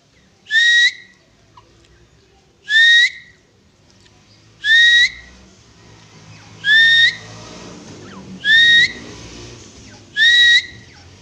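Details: Grey francolin call: six clear, rising whistled notes spaced about two seconds apart over a low, steady background rumble.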